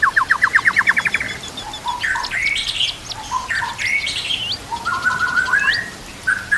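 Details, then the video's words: White-rumped shama training song filled with kapas tembak and cililin canary phrases: a fast run of rising whistled notes opens, then clear slurred whistles and short upswept phrases follow with brief gaps. "MASTERAN MURAI BATU ISIAN KAPAS TEMBAK KENARI CILILIN"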